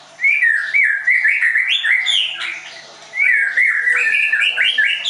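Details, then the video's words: Leuser white-rumped shama, caged at a training school in Tangerang, Indonesia, singing loud, fluid whistled phrases that rise and fall in quick succession. Two long bursts are split by a brief quieter gap. "MURAI BATU LEUSER"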